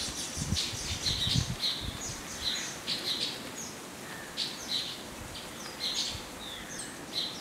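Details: Indian silverbill, also called white-throated munia, a small passerine of the Indian Subcontinent, giving short high chirps in loose bursts throughout, with soft rustling and low thumps in the background.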